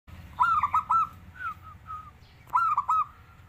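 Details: Zebra dove (perkutut) singing, kept as a constantly singing fighter bird: clear whistled cooing notes at mid pitch with quick downward hooks, given in two short phrases about two seconds apart over a low background hum.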